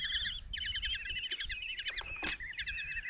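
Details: Five young common kestrels clamour in their nest box at Tiszalök, Hungary, as the mother arrives with a mouse in June 2024: fast, high, strident chitters in overlapping bursts, broken by a sharp knock or scrape.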